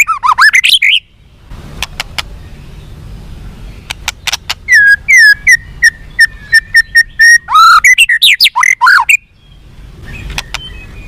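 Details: White-rumped shama song meant to make captive birds responsive and fighting: rich rising whistles, then a series of clipped repeated whistled notes with sharp clicks, closing with slurred phrases before fading.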